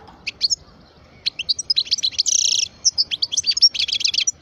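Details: A parva goldfinch, twelve years old, sings a continuous high, bubbling twitter of sharp chips and tinkling notes, broken by a short, harsh buzzy rattle midway.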